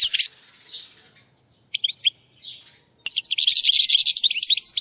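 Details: Goldfinch chirps for teaching a captive European goldfinch: brief sharp calls separated by silences, then a sustained fast, buzzy twittering run to the end.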